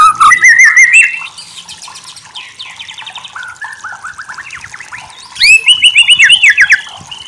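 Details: White-rumped shama song for bird tutoring: clear sweeping whistles open, then softer rapid twittering and chatter, before a loud burst of bright rising and falling whistled phrases with high chips.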